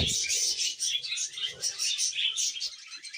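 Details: Happy pet budgerigar chattering steadily in rapid, high, scratchy chirps and warbles, a continuous twittering stream with a brief low thump at the start.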